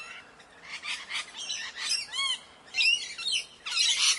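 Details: Morning parrot calls: separate harsh squawks and a few arched, whistled notes in bursts about a second apart, with brief quiet gaps between groups.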